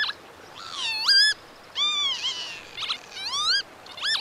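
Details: Northern lapwing, a crested black-and-white wader of open grassland, farmland and wetland, giving wheezy harmonic calls that swoop down then sharply up, several in sequence with short gaps.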